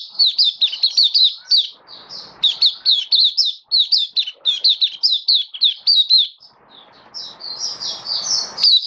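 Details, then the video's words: Caged Oriental white-eye, recorded 27 October 2022. Lively high song of quick chirps in bursts, several notes a second, a short quieter gap with soft hiss, then the twittering resumes strongly. "Mata Puteh Kitaro Buka Sing"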